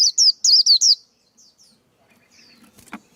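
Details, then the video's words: Male white-eye singing as a decoy bird for trapping and voice training: five loud, high, wavering whistled notes in a quick run, then faint soft twitters and a brief click. "KHUYÊN TRỐNG. Tiếng chim khuyên kích bổi, kích trống, luyện giọng bổi, bẫy khuyên"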